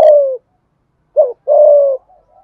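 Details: Decoy spotted dove calling to draw in wild doves: a long falling coo, a silent second, then a short hooked note and another sustained hoarse coo, ending in faint soft murmurs.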